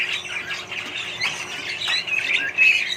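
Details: In a colony of budgerigars and other birds, a few harsh squawks and chirps stand out over soft chatter, ending on a clear, level whistled note.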